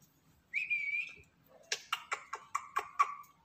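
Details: A black-capped lory, kept as a pet bird, gives a long level whistle followed by a run of eight sharp, evenly spaced chattering notes, with a person saying a word just before.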